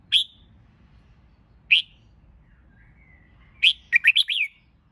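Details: Red-whiskered bulbul song for training birds to sing in competition: two sharp, high chipped notes about 1.5 seconds apart, then a quick warbled phrase of several bright, rising and falling notes, over a faint low hum.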